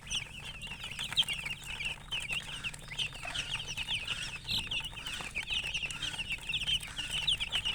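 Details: Chickens with a hen, described as colour chickens, chirping: a dense, continuous chorus of high, short peeps from many birds overlapping without pause, steady in loudness throughout.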